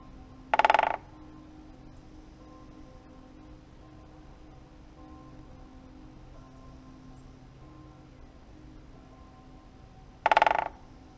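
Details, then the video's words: A great spotted woodpecker in late January in northeast Italy drums to mark its territory and attract females at the start of the breeding season, audible from far away. It gives two short, sharp rolls about ten seconds apart, each a split-second burst of rapid knocks, over a faint steady hum. "Il picchio rosso maggiore tambureggia."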